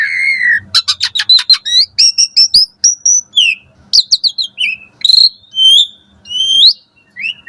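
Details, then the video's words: Morning song of an Asian pied starling used to train caged birds: a long whistle, then rapid repeated clicking notes, followed by rising and falling whistled phrases spaced about half a second apart. "Pancingan Jalak Suren Gacor Pagi Hari"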